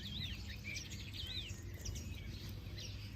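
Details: Wavering whistled phrases rise and fall among scattered high chirps from other birds, above a constant low background hum.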